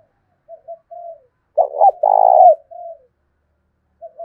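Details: Fight-challenging coo of a decoy spotted dove, 'thổ đồng' voice: a few gentle low notes, then a sharp stuttered double note into a long, burry, pulsing coo, ending in a softer falling note.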